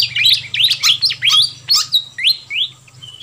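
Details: Busy fantail flycatcher calling used as a lure for wild birds: loud clipped chirps and upslurred whistles in quick uneven bursts, thinning out toward the end, with a steady low hum behind.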